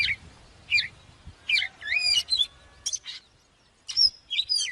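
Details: Oriental magpie-robin song used to train birds: scattered downslurred and looping whistles and sharp chirps separated by pauses, with soft low-pitched background noise.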